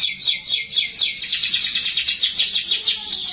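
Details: Young canary song meant to encourage young birds to sing quickly: a steady series of fast, bright, repeated downslurred notes, about six per second, forming an even rolling trill.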